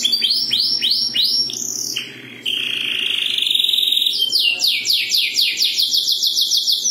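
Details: Domestic canary singing: fast rising whistled notes repeated in quick bursts, a sustained buzzy trill, then rapid high rolling phrases of falling chirps, loud and clear throughout.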